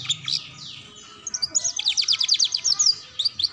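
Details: Canary training song for young birds learning ngeriwik: a few high sweeping notes, then a rapid run of evenly repeated sharp chirps forming a bright trill.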